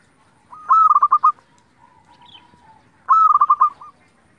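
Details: Lure song of a local zebra dove meant to make other doves sing. Two bright phrases of rapid, evenly pulsed coos about two and a half seconds apart, with a soft, low cooing murmur between them.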